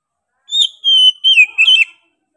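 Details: Energetic Oriental magpie-robin song: one long, pure, steady whistle that drops slightly at the end, then two shorter warbled, down-slurred notes, all against a silent background.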